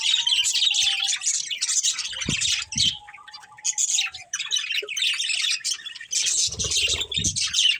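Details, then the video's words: Breeding pair of budgerigars chirping in rapid chattering bursts, high and grainy, with a quieter gap in the middle and a faint steady low whistle beneath. "Cute Budgies Chirping Sounds"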